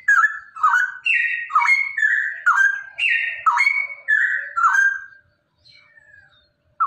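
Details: A male straw-headed bulbul (cucak rowo) in rapid "ropel" song, used as therapy to stimulate other birds, pours out a loud run of rich gurgling whistles jumping up and down about twice a second, then falls briefly silent.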